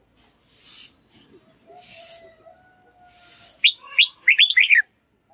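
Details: Red-whiskered bulbul practising song so a young white-cheeked bird copies it: soft rushing, hiss-like sounds and a faint thin whistle first, then a rapid burst of bright, chattering, upslurred whistled notes.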